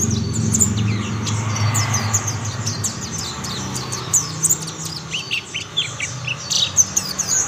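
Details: Mountain white-eyes joining one another in song; high, rapid chirps and twittering notes, growing busier toward the end, with a loud low rumble in the opening seconds.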